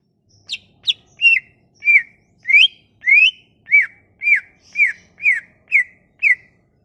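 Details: Leafbird song used as a lure to make a leafbird that has stopped singing start again: a series of loud, clear whistled notes, each bending downward, about two per second with a few sharper rising notes.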